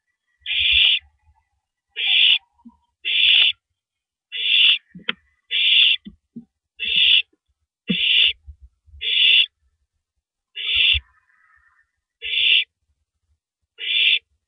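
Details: An owl feeding on a big rabbit at 3:33 AM, April 9, 2012, shredding it before gulping it down; a steady run of twelve hoarse, hissing shrieks, each about half a second, with scattered low knocks and scraping between them.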